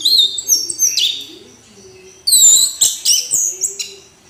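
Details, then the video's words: Orange-headed thrush pouring out song in loud bursts of bright, high whistled and slurred notes, broken by short pauses, with a soft low hum behind. "Anis Merah Kicau Sampai Teler"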